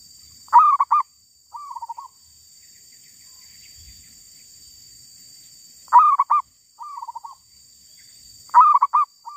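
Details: Cooing of a wild female zebra dove: three bursts, each a strong stuttering phrase answered by a gentle descending trill, separated by about four seconds of quiet.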